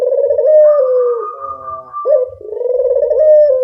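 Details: Lure call of a local collared dove, a drawn-out vibrating coo that slowly falls, a brief higher nasal tail, then a fresh coo that rises and holds; clean and close.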